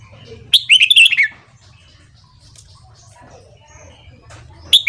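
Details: Red-whiskered bulbul in morning training song, giving a short lively phrase of tumbling whistled notes, then quiet with faint soft chirps before another phrase begins at the end.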